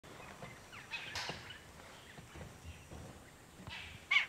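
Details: A rufous treepie (Dendrocitta vagabunda behni) in Ranthambore National Park, India, in November 2023, gives a few harsh, grating bursts spaced seconds apart, the loudest at the end, with faint chatter and light outdoor noise between.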